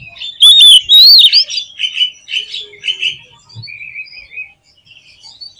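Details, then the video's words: Oriental magpie-robin in full, energetic song, played to test and raise the mettle of other magpie-robins: loud, sweeping whistles and warbles early on, then a run of shorter chirpy phrases about twice a second, fading into softer, thinner notes. "TES MENTAL KACER DENGAN SUARA KACER GACOR INI !! MENTALITAS KACER LANGSUNG NAIK"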